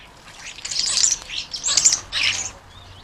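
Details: Common starlings at garden feeders, UK, give harsh grating screeches in three rough bursts, each about half a second, as they fight over the feeders while jackdaws feast on fat balls.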